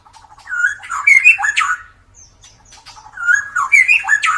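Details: Loud song of a white-rumped shama with a drooping 'klewer' tail, used to stimulate quiet birds: two bright bursts of rich whistles with sharp upward sweeps and high twittery notes, separated by a short soft pause.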